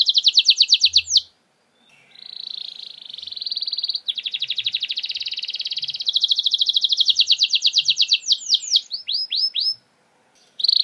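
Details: Canary used as a lure to prompt reluctant canaries to sing: loud high trills of rapid repeated notes, some sweeping downward, switching between buzzy rolls and sharper chip series, with brief pauses.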